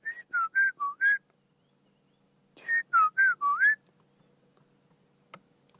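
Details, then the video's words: A white-browed scrub robin in the dawn chorus on a cold morning at sunrise on a South African safari, 20 July 2016, sings two short phrases of five clear, slurred whistles each, falling and rising, then silence. "chorus. You can hear a white-browed scrub robin."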